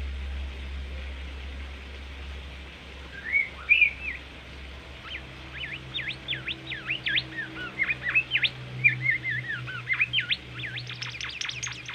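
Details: Bimoli, a tame bird said to sing readily, recorded as masteran training song: whistled slurred notes followed by a fast series of steep up-and-down sweeps, ending in high rapid notes over a steady low hum.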